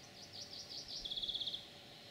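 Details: European pied flycatcher, 9 June 2019, delivering one brief song: a few high wavering notes followed by a fast, even burst of around nine sharp repeated notes, then quiet hum.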